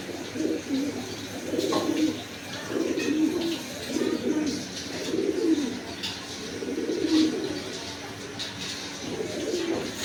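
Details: Young pigeons newly bought at market, let outside into the sunshine, give soft, low, throaty coos in repeated bursts about every second or two.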